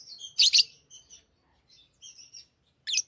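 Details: Tame lovebirds with play rings: a loud squeaky double chirp, then thin whistled tones and soft twitters, ending with another sharp shrill note.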